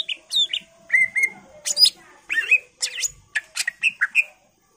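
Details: Greater green leafbird singing with full fillers to prompt other birds to sing: a rapid varied run of whistles, bubbling warbles and sharp upward slurs, phrases changing every half second, with no other sound.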